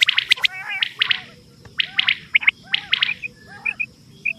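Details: Lure recording of quail for hunting. Quick chirping triplets alternate with short whistled double peeps, and a faint steady high tone runs underneath.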